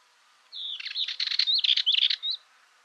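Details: A Dartford warbler (Curruca undata) sings one brisk, scratchy phrase of about two seconds, mixing dry rattling chatter with a few thin, high whistled notes.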